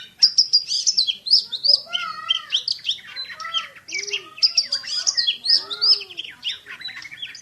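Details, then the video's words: Oriental magpie-robin, a champion kacer bird, singing rapid high chips and trills interwoven with softer lower arcing whistled notes in a fast-paced shooting style. "KACER JUARA SUARA TEMBAKAN !!! BURUNG KACER NEMBAK SPEED RAPAT"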